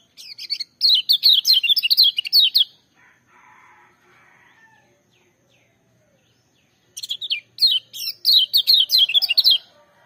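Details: Loud lemon-bellied white-eye song in two fast bursts of high, sharp, downslurred notes tumbling together for about two seconds each, separated by a quiet gap with faint lower murmuring.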